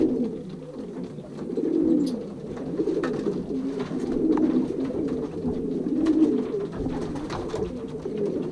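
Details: Many racing pigeons cooing together indoors in a loft of young birds, pairing season 2023, Pruszków section, Poland; low, throaty coos overlap in a steady murmur that swells and fades, with occasional wing or foot noises.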